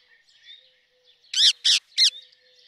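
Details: Three loud, rasping screeches in quick succession from a rose-ringed parakeet, each short and strident, with quiet chatter and a faint low whistle around them.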